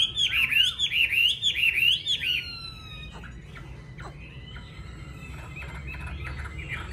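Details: Yellow-billed Chinese hwamei kept in a cage at home: loud rolling warbled phrases for two seconds, then a sliding whistle and softer scattered chips and notes.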